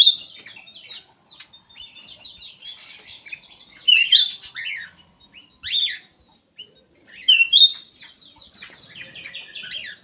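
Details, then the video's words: Black-capped bulbul kept in an aviary sings eagerly: continuous thin, high chattering notes broken by three or four louder, sharp whistled bursts. "KICAU KUTILANG EMAS \ CUCAK EMAS GACOR"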